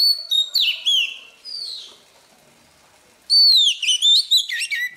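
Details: Morning practice song of a wild-caught Oriental magpie-robin. Rapid chopped whistles give way to a drawn-out, falling note. After a pause, loud, fluid whistled phrases run into quick, bubbling chirps.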